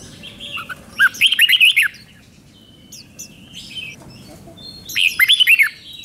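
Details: Thai Red-whiskered Bulbul performing the doubled five-syllable song. Two crisp phrases, each of about six swooping whistled notes, come roughly four seconds apart. Thin chirps sound faintly in between.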